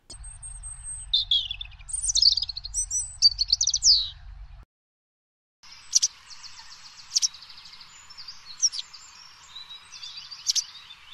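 White wagtail giving sharp, high chirping calls about once a second, after a thin, varied warbling phrase from another bird over a low hum.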